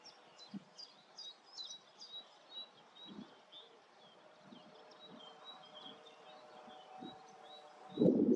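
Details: Common reed bunting singing at Grote Netevallei, Gestel, on 28 May 2022: short, faint, high jingling phrases of thin chirped notes repeated over the first five seconds, with soft low thumps and a loud knock at the end.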